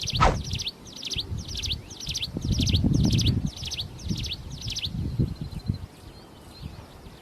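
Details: Energetic plain prinia song from the wild: a run of buzzy, scratchy phrases about four per second that stops partway, leaving low rumbling noise and faint distant chirps.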